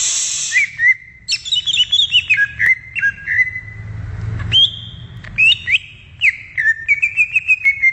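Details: Greater green leafbird singing in the wild, a long varied run of whistled notes with quick up and down slurs, steady phrases and brief harsher buzzes, with a soft background hum.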